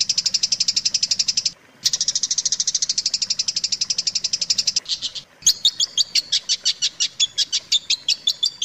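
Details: Long-tailed shrike tutor recording used to teach song to other shrikes: long fast rattling trills of high repeated notes, broken by brief pauses, then a slower series of pulsed, chattering high notes.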